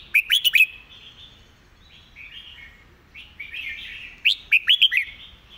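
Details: Red-whiskered bulbul song for training birds: a quick series of four loud, upslurred whistles, a gap of softer warbled notes, then the same bright four-note series repeated.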